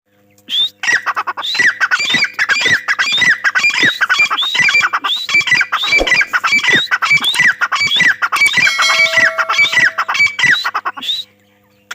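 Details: Grey francolin gives loud, harsh, ringing notes in a fast, insistent series, almost two per second, with rising squeaky phrases and no other clear sounds.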